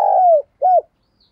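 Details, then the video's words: Caged spotted dove decoy bird giving two low coos, a long falling note followed by a shorter arched one; silent background. "tiếng chim cu gáy mồi chuẩn cực hay// Chim cu gáy gù + gáy gọi"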